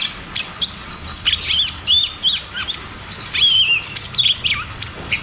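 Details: Cucak cungkok 'ngeroll tembak' song used to stimulate caged birds that have stopped singing: bright chirps mixed with level and slurred whistles. Quick phrases are separated by brief gaps.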